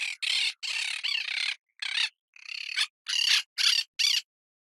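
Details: Parrot calling in a series of harsh, raspy squawks, each about a third to half a second long, repeated in quick bursts with short gaps, bright and high with a nasal, grating tone.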